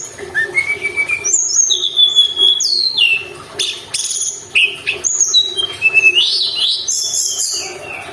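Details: Sunda robin song used to stir caged birds into singing: a rising whistle opens, then sliding whistles, short sharp notes and high chattery bursts follow in a varied, uneven stream.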